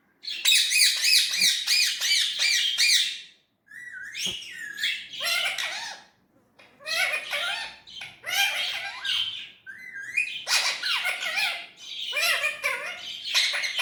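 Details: Talking Indian ringneck parrot in natural voice, giving long runs of rapid, raspy, syllable-like chatter in several bursts separated by brief pauses, loud and high-pitched throughout.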